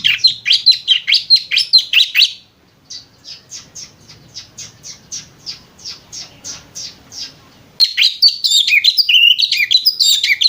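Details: Chattering white-rumped shama imitating a lovebird: quick loud high notes, a quieter train of regular short chips about twice a second, then a dense stretch of warbled, sliding whistles.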